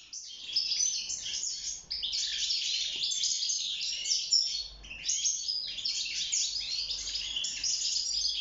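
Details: Caged wild European goldfinch, locally called maqnin, singing for mating and nest building: a dense, fast twittering of bright, tinkling notes and short buzzy trills, continuous with a brief pause near five seconds.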